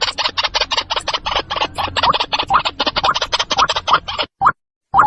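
White-breasted waterhen giving a fast run of harsh, croaking notes, about eight a second for four seconds, then a few single louder croaks after brief pauses.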